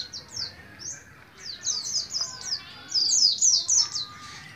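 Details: A young endemic white-eye from Moga, Pemalang, Central Java, just starting to learn to sing, gives a fast, high twittering run of thin, sliding notes, several per second, with quieter short notes between phrases.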